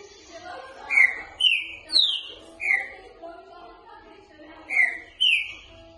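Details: A green-winged saltator sings in the boca mole style for training birds. One phrase of four bright whistled notes climbs in pitch, followed after a pause by the start of another. Faint hum and murmur in the background.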